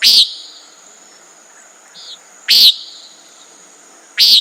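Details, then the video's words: Common nighthawk giving short, harsh, buzzy nasal notes, three in just over four seconds, with a steady high insect whine behind and one faint brief chirp between calls. "Common Nighthawk Sound"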